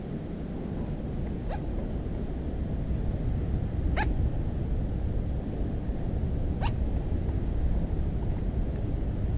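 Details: Calling little crake hidden in cattails, 13 July 2017. Brief sharp notes that shoot upward in pitch come about every two and a half seconds, three in all, above a steady deep rumble of background noise.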